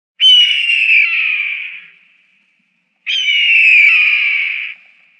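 A red-tailed hawk gives two hoarse, rasping screams, each about a second and a half long and slowly falling, with a short pause between them.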